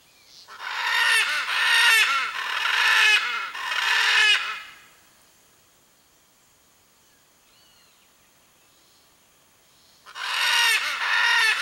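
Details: Blue-and-yellow macaw calling to find its mate, giving three harsh, grating squawks in quick succession, then about five seconds of near silence before another loud raucous squawk begins.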